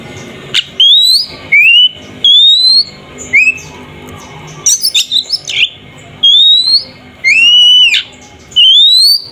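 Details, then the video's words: Kacer, the Oriental magpie-robin, in 'ngeplong' fighting song meant to anger a rival: long, clear, upward-sliding whistles about a second apart, with a brief burst of scratchy notes mid-phrase and a faint low hum behind. "Suara burung Kacer TARUNG NGEPLONG sangat efektif untuk pancingan Kacer agar emosi"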